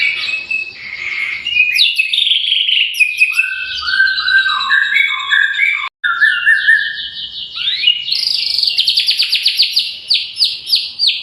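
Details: Lively White-rumped shama song played to coax birds into singing. A long rich stream of fluty rising and falling whistles, stacked rapid notes and quick trills, with a brief break midway, then a dense run of rhythmic high notes.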